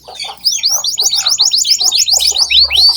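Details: Canary song used to train young canaries: rapid repeated high whistled notes sweeping down, a fast trill-like series with lower chirps mixed in beneath.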